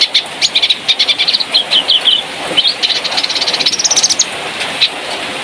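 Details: Sooty-headed bulbul, a spotted bird native to Malalak, used as training material for teaching birds its song: rapid run of bright, clipped chirps and short warbled notes, varying in pitch, over steady background hiss with a passing vehicle.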